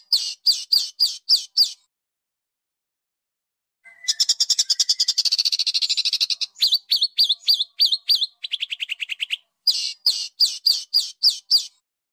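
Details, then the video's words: Masteran birdsong in coarse style for home and contest birds: bursts of sharp looping whistles separated by a pause, a dense buzzy trill, and lower rapid chirps. "full Suara burung Masteran kasar"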